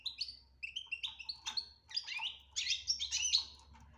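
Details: Goldfinch betbta-style song with tasfia, used to draw a silent bird out of silence: continuous bright chattering twitters and quick trills, rising and falling in energetic bursts, over a faint low hum.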